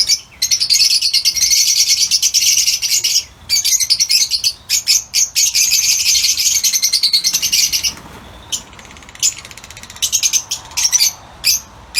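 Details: Lutino Fischer's lovebirds in an outdoor aviary giving dense, continuous high shrill chattering, a near-unbroken stream of sharp squeaky notes with short pauses, thinning into scattered separate chirps toward the end.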